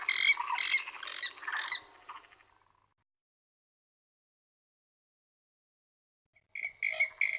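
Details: Western (purple) swamphen in the Vegas Altas, Badajoz, in November 2020, seen feeding its chick, gives a quick run of about five harsh, nasal squawks over two seconds, then another burst after a long silence.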